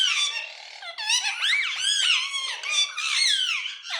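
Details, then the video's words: Pet Indian ringneck parrots vocalising indoors: continuous shrill, squeaky chatter of rapidly rising and falling whistled notes, run together with no pauses across four seconds, sounding sharp and bright. "Cute Indian Ringneck Parrots Talking"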